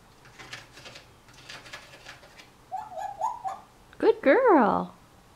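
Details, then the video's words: African Grey Parrot just over a year old, talking indoors in September 2010 and mimicking words such as good morning and pretty bird. Faint murmurs lead into short tonal syllables, then a loud, wavering, harmonic-rich phrase near the end. "African Grey Parrot - Talking"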